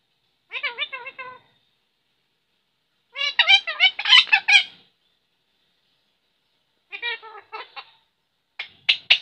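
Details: A talking parrot runs off quick chattering strings of syllables in three bursts, the middle one longest and loudest, then gives a few sharp clipped notes at the end; nothing else audible.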